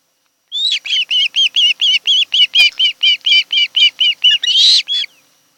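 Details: Wild osprey at its nest on Kent Island, Maryland, one of a mated pair, afternoon of 26 July 2018: about sixteen sharp whistled chirps in a steady run, roughly three per second, ending in a harsher, louder note.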